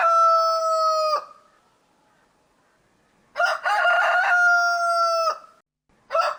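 A rooster crows twice, each loud, harmonic-rich crow held steady for about two seconds, with the start of a third at the end.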